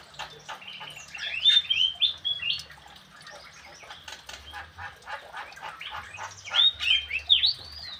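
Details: Javan cochoa calling in squeaky, twittering bursts with a few clear whistled slurs. Quieter stretches of chatter and a soft fluttering-like background come between the louder phrases.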